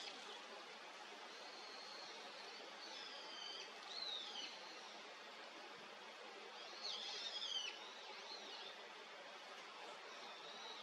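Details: A male Daurian redstart (Phoenicurus auroreus) gives two short bursts of thin, high, slurred whistles a few seconds apart over a steady background hiss.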